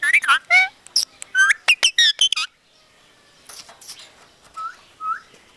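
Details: A talking parrot mimicking Punjabi sentences: a fast run of clipped, harmonic speech-like syllables and whistled notes over the first two and a half seconds, then quieter scattered sounds and two short rising whistles near the end.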